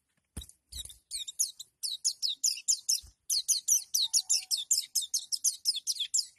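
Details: Oriental white-eye (pleci) in its 'nembak' shooting song, said to make a rival white-eye back down. It gives a fast series of very high, sharp chattering notes, several per second, with a couple of low thumps at the start.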